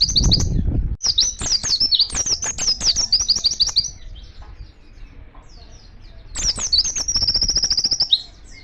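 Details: Oriental white-eye singing energetically in the wild, calling to other white-eyes: rapid bursts of high, thin, twittering chirps, then a pause, then a fast run of sharp repeated notes ending in a buzzy trill.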